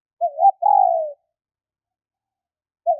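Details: Spotted dove female calling to excite males, a single phrase of a quavering short coo and a longer downward-sliding coo, then silence and the start of the next phrase.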